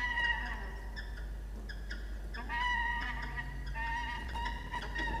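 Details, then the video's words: At a nest box in Orange, New South Wales, a male peregrine falcon calls to the female for his turn on the eggs, 6 October 2021: drawn-out, nasal, harmonic wails in overlapping phrases, with a low background drone. "Xavier request to Diamond about his egg time"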